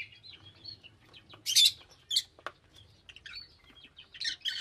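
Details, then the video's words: Lovebirds keep up busy shrill chattering, with repeated harsh, broadband squawks and high twittering notes throughout. "Love Birds Nature Sound"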